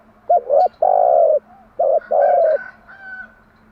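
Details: Decoy spotted dove singing at morning to lure and train doves: two rapid phrases, each with short stuttered coos leading into a long sustained low coo, with a faint thin higher call trailing behind.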